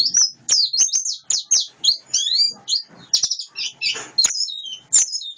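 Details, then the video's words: Wild-caught white-eye singing a dense, high twittering song of quick chirps and short trills, with sharp clicks scattered throughout. "Burung pleci ngalas"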